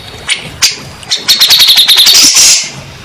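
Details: Grey-cheeked bulbul song used as a lure to prompt stressed or silent birds to sing: a few sharp separate notes, then a fast run of bright high chattering notes over about a second and a half.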